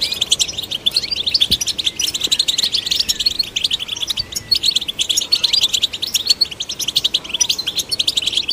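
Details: European goldfinch song, played to stimulate goldfinches: an unbroken, fast, tinkling twitter of high notes, with buzzy trills and short rising slurs running throughout.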